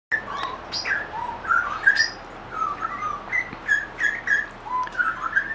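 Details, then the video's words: A grey butcherbird sings in a backyard, a run of rich, mellow piped whistles slurring up and down in quick varied phrases, with a few sharper higher notes mixed in. "Grey Butcherbird Song"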